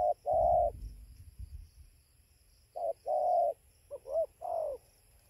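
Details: Spotted dove near a roosting tree at 5:20 am in Gia Lai, Vietnam, 24 November 2020, cooing in short-long pairs, with a pause mid-sequence and a quick broken double note before a final falling coo, low rumble behind.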